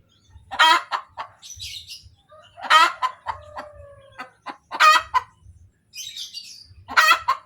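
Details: Hen cackling right after laying: regular loud harsh squawks about every two seconds, each followed by clucks, with a faint whistling tone and distant chirps between calls.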